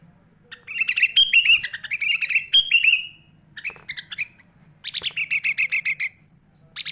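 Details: Kutilang, the sooty-headed bulbul, in a 'gacor' mimic-laden song used to teach other bulbuls: several downward-slurred warbled phrases in a row, short scratchy notes, then a steady rapid trill; faint low hum throughout.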